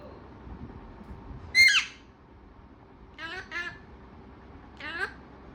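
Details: One loud harsh squawk from a talking parrot, followed by two softer chattering, warbled phrases a few seconds apart.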